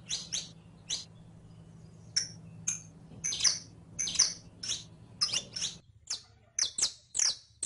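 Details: Song of a saffron finch, the canario criollo, used to train caged birds to sing: a steady stream of sharp, high, downslurred chirps, some doubled, spaced a fraction of a second apart, with a faint low hum early on.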